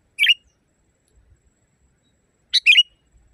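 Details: Clean, loud phrases from a wild sooty-headed bulbul, kept as a training recording for caged birds: two short, bubbly whistled bursts about two seconds apart, each a quick warbling flourish, with near silence between.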